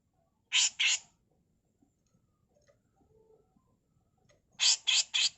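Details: Grey-cheeked bulbul female, harsh 'mbeset kasar' tutor song: two grating bursts, then quiet with faint low murmurs, then three more rapid rasping notes.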